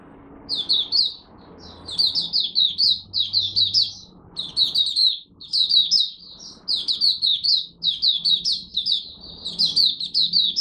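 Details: Morning warm-up song of a caged Malaysian oriental white-eye: rapid high twittering phrases repeated again and again with brief gaps, each a tight cluster of sweeping chirps, faint low hum beneath.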